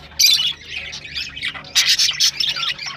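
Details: Rosellas calling to spur mating, with sharp loud squawks opening and recurring among fast squeaky chatter and falling whistled slurs.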